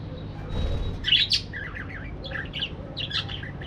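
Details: Parakeets kept in an aviary give warbling, wavering chirps and short squawky notes in small groups, after a brief quiet start, with a faint low hum beneath.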